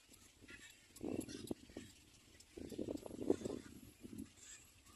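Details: Little black cormorant standing still, uttering two rattling bursts of low, gravelly croaks and then a brief third burst.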